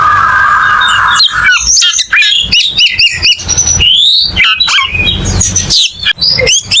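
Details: Energetic song of a cucak keling: a steady buzzy tone at first, then a dense run of bright whistles, wavering slurs and sharp chips with barely a pause, over a faint low hum.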